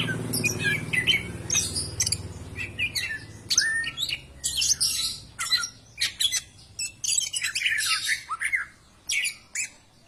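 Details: Greater green leafbird song, played to stimulate other birds to sing. A busy stream of bright, high whistles, chirps and short squawky notes comes in rapid bursts with brief gaps, over a faint low hum early on.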